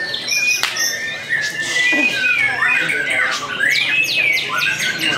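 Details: White-rumped shama just after its moult, singing on the hanging pole, a contest bird that took second place at Kejobong Jaya Ronggolawe: loud clear whistles rising and falling, mixed with rapid chattering notes and faint voices.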